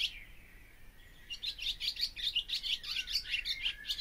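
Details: Barn swallow opening with a soft drawn-out whistle, then breaking into fast, continuous twittering with buzzy notes and short downward slurs, about three notes each second.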